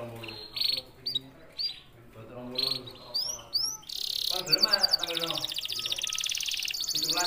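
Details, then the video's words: An Indonesian red canary sings, first in short bright chirps, then in long rapid trills that roll on without a break, with faint low voices murmuring in the background. "CANARY SINGING"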